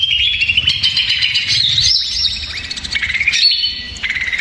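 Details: Agitated greater green leafbird song played as a lure to make other birds answer: rich, nonstop medley of clear whistles, chattering trills and quick upward and downward slides, loud and varied, with a brief pause before a lower whistled phrase.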